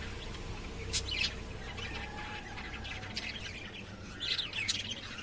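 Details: Soft lovebird chirps, scattered high squeaks with a few louder bursts near the start and end, against a faint low hum.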